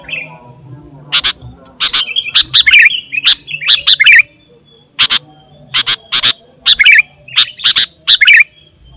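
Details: Lively sooty-headed bulbul song meant to draw in wild bulbuls and to tutor caged ones: short liquid warbled phrases repeated in rapid series, rising and falling, mixed with crisp loud clicks between phrases.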